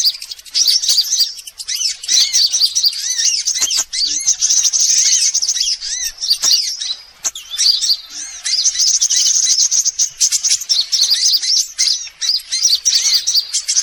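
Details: Lure sound meant to attract every kind of sunbird: a continuous, busy stream of sharp, high twittering chirps and trills that barely pauses, with a few brief breaks and overlapping buzzy notes.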